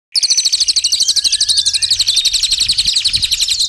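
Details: A colony of white-eyes, used as master audio for training songbirds, with water trickling: a dense, rapid high trill of tight notes repeated about four times a second, steady throughout.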